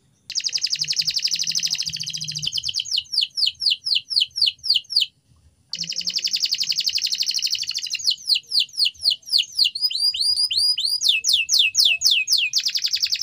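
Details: Canary training song with long rapid buzzing rolls alternating with runs of downslurred whistled notes, one short silence midway, phrases following closely one after another; a soft low hum in the background.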